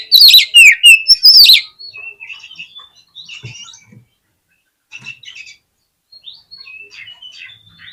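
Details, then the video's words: Oriental magpie-robin lure song meant to trigger a fighting response: a loud, rapid burst of whistles and scratchy notes at the start, then scattered soft, distant-sounding twitters and clicks. "COCOK UNTUK PANCINGAN KACER YANG MALAS BUKA EKOR SEKALI DENGAR AUTO FIGHTER"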